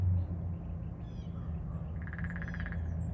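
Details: Female downy woodpecker drumming: one rapid, evenly spaced roll of taps lasting under a second, set against a steady low rumble of background noise.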